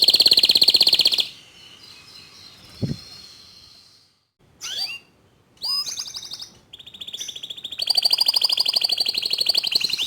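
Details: A local white canary sings a rolling trill, goes quiet apart from a brief click, gives short swept phrases, then a long, steady rolling trill.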